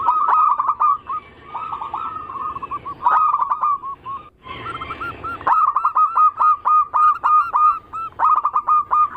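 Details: Zebra dove song of local and Bangkok crossing types, played as a lure to draw other doves into singing: rapid stuttering coos around one pitch, repeated in runs with a short pause midway, then fast clipped notes resuming.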